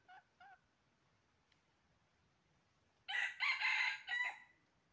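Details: Red junglefowl during trapping, dated 20 January 2023: two short soft calls, a pause of over two seconds, then a loud hoarse crow in four jerky segments, ending abruptly.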